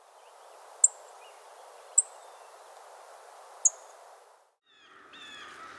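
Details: An American Tree Sparrow, a winter visitor in Illinois, gives thin, very high single notes every second or two, then a brief sweet, descending warble, over a steady soft hiss.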